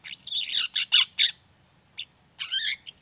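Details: Pied bushchat song used as a training lure to make other bushchats sing: harsh, buzzy, high chattering notes in quick bursts, then a short pause and a slurred rising twitter.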